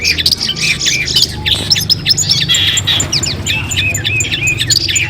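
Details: Long-tailed shrike song from a pre-contest training compilation: varied squeaky whistles, chattering bursts and looping slurred notes over a low background hum.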